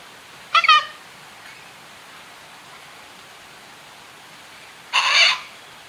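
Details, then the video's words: Sulphur-crested cockatoos calling in the rain, one bathing in a downpour among lush green foliage: two short harsh, broadband screeches about four seconds apart over a steady hiss of falling rain. "Sulphur Crested Cockatoos in the Rain"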